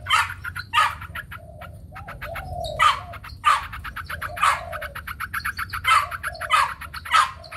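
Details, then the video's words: Competitive song of a white Chinese hwamei displaying with spread wings: strong harsh bursts about every second, separated by quick runs of dry ticking notes, and a dove cooing softly underneath. "Hoành hoạch trắng hót đấu xòa cánh"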